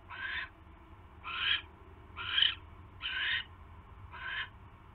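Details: Barn owl nest, 27 January 2016 around 7:24 PM, mouse delivery to the nest: five loud rasping hisses, each under half a second, spaced about a second apart, with steady low hum beneath.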